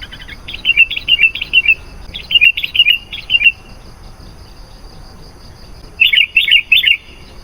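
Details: Lure song of an active sooty-headed bulbul, meant to attract wild bulbuls: clusters of rapid, sweet chirped notes, a pause of two seconds, then three louder chirps.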